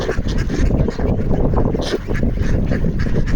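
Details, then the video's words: Several ducks on a frozen pond in Toronto call noisily while wanting food; overlapping short nasal quacking notes break through a heavy, constant low rumble of wind and handling noise. "Ducks are making noise wanting food to eat on the frozen pond"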